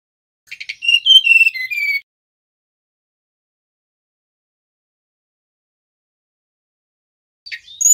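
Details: One short whistled phrase from a male mangrove blue flycatcher, a quick cluster of high, falling notes, followed by long silence and the start of another phrase at the very end.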